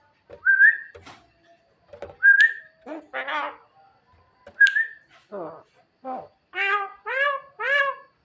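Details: Night-time song of a Javan myna calling its mate: level whistles and clicks, then rough buzzy notes and a run of three loud nasal calls that rise and then fall.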